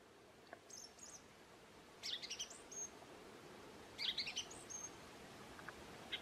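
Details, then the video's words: Thrush in New Zealand whistling its well known tune: two short bursts of high bright notes about two seconds apart, over steady background hiss. "The Song of a Thrush"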